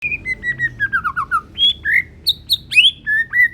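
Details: Young ringed white-rumped shama of the Medan type, singing loudly with a penetrating voice: a series of clear whistled notes that step downward, then brighter rising and falling whistles, all varied and quick.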